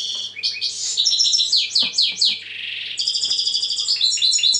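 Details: European goldfinch, said to be very tense lately, pouring out a continuous rapid twittering song of tinkling, descending slurred notes and trilled runs, with a faint low hum behind.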